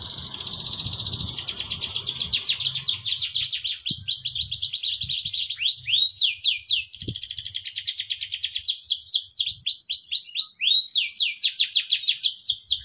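A canary sings a long, continuous run of rapid trills, rolls and sweeping whistled notes.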